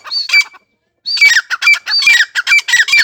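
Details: Francolin giving loud grating calls: a brief burst, a second of silence, then a rapid series of harsh squawky notes with squeaky overtones, repeated several times a second.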